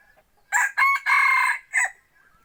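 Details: Crow of a rooster kept as a hunting decoy for trips into the forest: a harsh, strained crow in four bursts, two short rising notes, a long held note, then a brief closing note, with faint clucks before and after.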